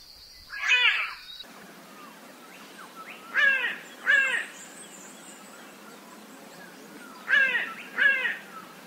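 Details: Raven of Australia, Oceania and Southeast Asia uttering a single hoarse caw, then two pairs of quick, throaty caws. An insect drone is heard briefly at the start.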